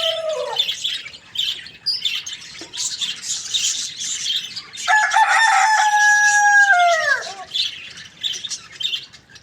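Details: A rooster crows in the morning, a loud, level, harmonic call lasting over two seconds that breaks into a falling tail, after fainter earlier calls, over constant twittering of small birds.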